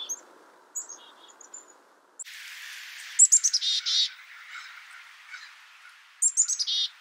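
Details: Black-capped chickadee giving two runs of high, thin opening notes that drop into short buzzy repeated notes, with a steady hiss of background noise in the middle section.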